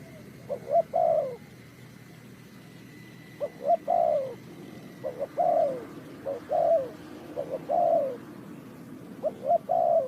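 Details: Spotted dove from Ninh Thuận, recorded in a bird-trapping setting, giving five cooing phrases: each has two short low notes, then a longer, louder coo that slides down, with pauses of about two seconds and a faint steady hum.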